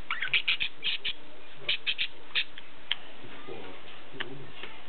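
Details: Pet zebra finches kept at home in Ulaanbaatar, Mongolia, giving short nasal chirping calls in quick clusters during the first second and again near two seconds, then sparser single notes, over a low background hum.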